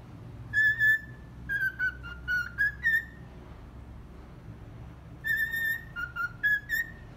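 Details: Pet cockatiel whistling the children's tune 'Atirei o pau no gato', slightly off-key; clear, pure whistled notes, some held and gently wavering, in two phrases separated by a pause of about two seconds, over a faint low indoor hum.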